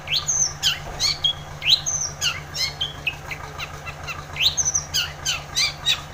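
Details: Long-tailed shrike in full song, used to spur quiet shrikes to sing: a lively jumble of high whistled sweeps, chirps and harsh notes in quick succession, with a constant low hum underneath.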